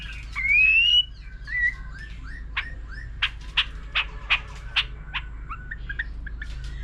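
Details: Mature forest-caught white-rumped shama singing many varied phrases alongside a laughingthrush: a long rising whistle, a short whistled note, then a run of sharp, clipped notes repeated about every half second over a low steady hum.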